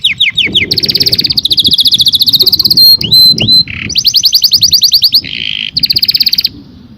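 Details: Canary song of rapid rolling trills, buzzy passages and a few swooping whistles, shifting between phrases every second or so, loud throughout.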